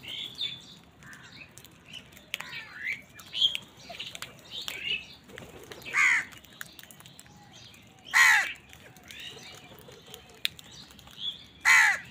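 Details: Crows squabble with wild birds for food. Three loud, hoarse caws are spaced about two seconds apart, with thin high chirps and twitters from smaller birds scattered between them.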